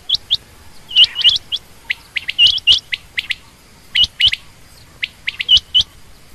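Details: Busy series of high, hooking chirps from female quail, doubled and tripled notes tumbling quickly one after another with hardly any pause.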